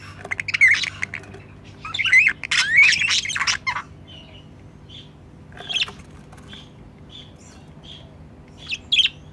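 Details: Budgerigars, a hoped-for future breeding pair kept by their owner, by their nest box: bursts of harsh, buzzy squawks and warbled chirps in the first four seconds, then scattered short chirps and squeaks with quiet gaps.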